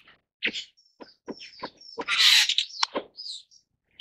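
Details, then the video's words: Superb starling calling in a mix of sharp clicks and knocks, a thin high whistle, and a loud harsh rasping burst in the middle, with squeaky chatter after. "栗頭麗椋鳥/Superb Starling"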